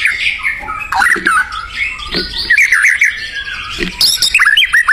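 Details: Wild white-rumped shama singing vigorously: a tangle of looping, warbled whistles and scratchy notes, with a dense background of other sounds.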